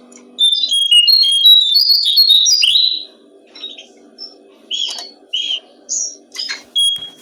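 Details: Brown-streaked flycatcher singing, used as tutor material for songbirds: a rapid, continuous high twittering run of wavering notes lasting about three seconds, followed by short separate chirps with gaps, against faint low hum.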